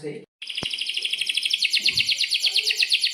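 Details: Atlantic canary in breeding condition singing vigorously, a recording used to train young canaries to sing; a fast, even, high buzzy trill of rapidly repeated notes runs almost the whole time after a brief pause and a click.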